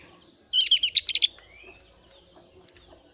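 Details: A thin-browed Javan grey-throated white-eye in breeding condition, used as a lure to get other white-eyes singing, gives a quick burst of about eight high, bright chirps in under a second, then falls quiet over faint hiss.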